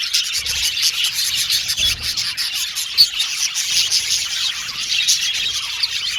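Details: Colony of male violet and blue budgerigars kept in an aviary, chirping together in a thick, unbroken wash of high twittering, squeaky notes and rapid warbles, with a sharper chirp standing out midway.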